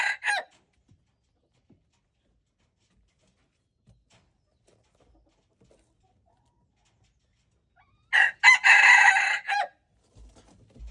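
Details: Red junglefowl crowing, recorded February 13, 2025: a brief clipped note at the start, long quiet, then a loud harsh multi-part crow about one and a half seconds long near the end.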